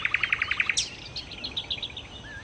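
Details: Nightingale, locally called sikatan londo, in lively singing: a quick run of about eight identical sharp chipping notes, then a high slurred note and a looser string of varied, fainter twittering phrases over a soft background hiss.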